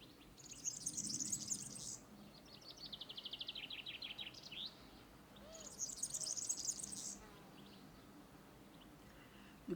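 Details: European serin singing from an exposed treetop perch to mark territory or attract a female: a long, light, high-pitched twitter in three fast jingling bursts, with a faint low rumble underneath.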